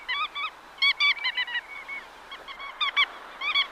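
Black-tailed Godwits give nasal, slightly rising notes, clipped and repeated in quick bursts of two to four, with overlapping calls suggesting several birds.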